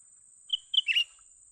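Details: One quick phrase from a young cucak ranting bulbul during luring for capture: a clear whistle, a second whistle, then a buzzy, slightly rasping chatter, set against a shrill constant insect tone.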